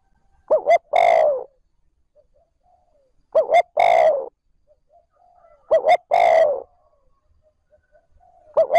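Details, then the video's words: Captive decoy spotted dove calling in the plain continuous 'trơn ròng' style to stimulate wild doves: three full phrases, each two short hollow notes then a longer, slightly falling coo, repeating roughly every two and a half seconds, with a fourth starting. "Tiếng cu gáy trơn ròng thúc gù gáy kích bổi nhanh nổi / Cu gáy gọi trơn ròng"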